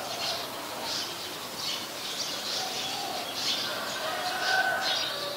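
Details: Brown-throated sunbird recorded on 13 January 2021 in Ubon Ratchathani, Thailand, with a Nikon P1000: short high chirps repeated roughly every half to one second, over softer lower whistles from other birds and faint background hiss.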